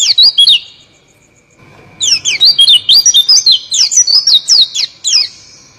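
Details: Oriental white-eye singing in the rolling 'ngeroll' style: a high, rapid run of sweeping twittered notes that starts, pauses for about a second, then resumes with dense chirps.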